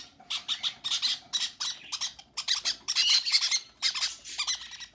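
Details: Conure chicks fed by parents, recorded indoors: continuous rasping, pulsing begging squawks in quick succession with short gaps.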